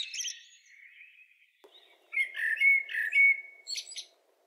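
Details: Common blackbird (Turdus merula) song: mellow, fluty warbled phrases ending in a thin, high squeaky twitter, over a faint low hum.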